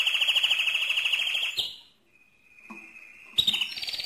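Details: Loud mosaic canary song, a rapid metallic trill sustained for over a second and a half, breaking into a near-silent pause with a faint thin whistle, then bursting back into a fast high roll.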